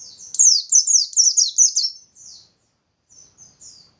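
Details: A bustomi white-eye sings hard as a lure to prompt other white-eyes to sing. About eight rapid, very high, downward-sweeping whistled notes pour out in a rolling burst, then fade into a few soft, scattered twitters.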